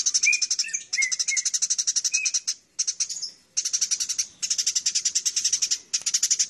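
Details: Eurasian tree sparrow, locally burung gereja, fighting: dense runs of rapid, piercing chirps lasting one to two seconds each, broken by short silences, with a few lower chirps near the start.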